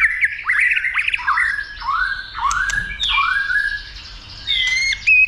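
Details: White-rumped shama roused to sing and fight, tail flicking: rapid jumbled notes open into a string of clear upward-curving whistles, followed by short sharp chips and a final level whistle.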